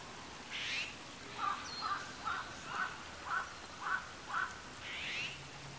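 An azure-winged magpie gives about seven short, clipped notes, one every half second. A harsh, rasping screech comes before and after the series.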